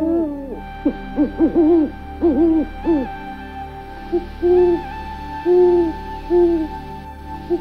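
An owl gives a quick run of wavering, bouncing hoots, then slower, softer single hoots about once a second, over a steady background music drone.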